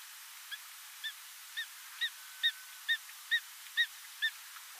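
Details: Wild greater spotted eagle in Satsumasendai, Japan, January 2006, gives about nine short, sharp yelping notes, roughly two per second, growing slightly louder; faint background hiss.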